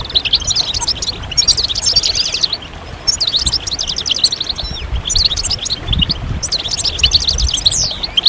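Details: Several European goldfinches singing together, a group chorus meant to stimulate goldfinches out of moult and get males singing. Dense, high tinkling twitters come in four bursts of about two seconds each, separated by short lulls, over a low background rumble.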